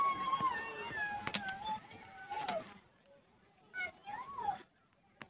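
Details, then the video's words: A pet talking rose-ringed (ringneck) parakeet chatters in nasal, speech-like phrases for a couple of seconds, then gives two short rising-and-falling whistled notes after a pause. "Talking parrot parrot talking"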